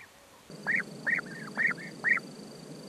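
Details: European bee-eater giving four rolling, arched calls at a steady mid pitch, each a short burred note rising then falling, spaced about half a second apart over a low background hiss.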